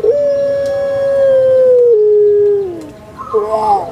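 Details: Barbary dove of the prized puter pelung voice type holds a long, smooth coo for about two seconds that steps down to a lower tone and tails off, then gives a short wavering follow-up note.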